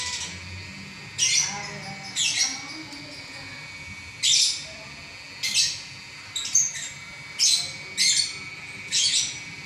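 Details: Lovebird champion singing ngacor without stopping for eleven minutes: sharp, scratchy bursts every second or so, some with short downward squeaks, separated by clear pauses, over a steady electrical hum.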